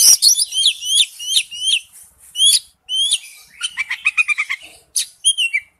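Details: Oriental magpie-robin singing its wild-type song, a string of bright downslurred whistles followed by a fast stuttering trill of short notes and a few closing whistles.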